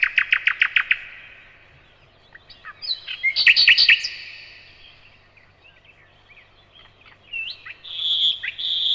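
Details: Evening song of a common nightingale: a fast burst of repeated clipped notes, then a rich jumbled phrase, a quiet gap and a sustained high whistle near the end.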